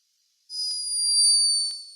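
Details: A sleeping hummingbird recorded by a scientist in Peru snores: a thin, high-pitched whine held steady for over a second.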